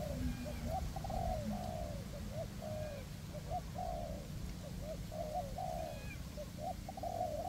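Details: Spotted dove decoys, a high-perched bird and a ground bird, cooing in a forest to attract wild doves into a trap; dense overlapping coo phrases, short stuttering notes followed by longer slurred coos, steady wind noise underneath.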